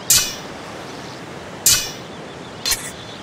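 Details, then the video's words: Two critically endangered northern bald ibis fencing with their bills on a sandstone cliff in Morocco: three sharp, dry clacks about a second apart over a steady background hiss. "Northern bald Ibis fencing on a cliff"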